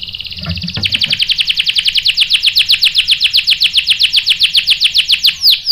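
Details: Canary ngerol, the long rolling song, on a lure recording to provoke a male. A buzzy opening tone leads into a loud, fast, even stream of repeated notes, closing with a few swooping whistles.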